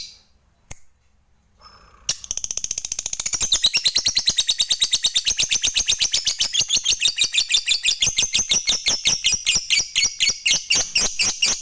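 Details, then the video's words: After a couple of isolated clicks and a pause, a fighter lovebird launches into long ngekek chatter, meant to provoke other lovebirds: a loud, rapid, sustained rattle of high pulses that gradually slows. "Dengar Fighternya Bisa Buat Lovebirdmu GACOR Rajin Ngekek Panjang"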